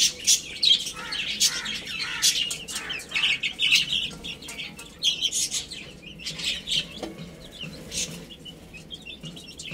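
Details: Little chicken chicks playing and feeding; bright high peeps come in bursts of several notes, loudest early on, then thin out, with rustling and pecking clatter underneath.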